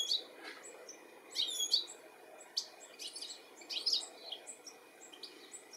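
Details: UK European goldfinch, July 2017, calling while searching for its young; sharp high chirps and a few quick rising and falling slurs, scattered through the first four seconds, then quiet.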